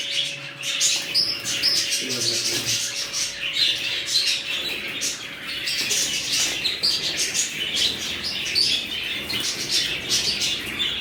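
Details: Budgerigars in a fresh colony keep up a constant chorus of high chirps and warbles with short sharp squeaks throughout, a low steady hum fading out halfway.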